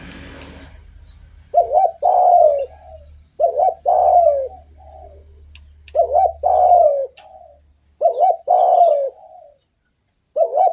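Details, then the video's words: Spotted dove singing actively for use as a lure: four evenly spaced cooing phrases, each a short wobbling note plus a longer falling coo and a soft trailing note, with a low background hum early on. "SUARA BURUNG DERKUKU GACOR ENAK DIDENGAR || BAGUS BUAT PANCINGAN"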